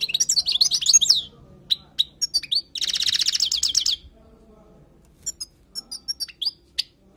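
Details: Wild European goldfinch tutoring song: an opening burst of twittering, a dense rattling trill of rapid repeated notes lasting about a second, then sparse isolated sharp chirps with quiet gaps between them.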